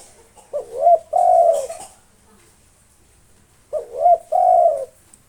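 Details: Local spotted dove, tirelessly singing to rile rivals, delivers two soft three-part coo phrases about three seconds apart, the final coo long and steady, with faint hiss in the background.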